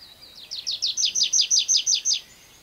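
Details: A tree pipit sings while perched on the ground, giving a shorter verse than its flight song: a thin high opening note, then about ten bright, downslurred notes repeated quickly and evenly before stopping, over a quiet background.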